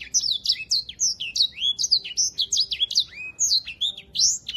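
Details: Grey singing finch, kept as a tutor bird for canaries, pours out a fast, unbroken song of high, bright chirps and quick slurred whistles, several notes each second, against a quiet background.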